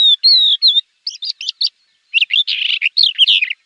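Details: Javan bush lark song for tutoring cage birds: clear whistled notes at first, then a pause, then scratchy chirps and a dense burst of varied notes.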